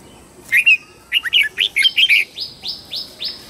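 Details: Red-whiskered bulbul singing in the morning, used to train other birds: a rich burst of short warbled whistled notes, then a run of five rising slurred whistles repeated about every third of a second.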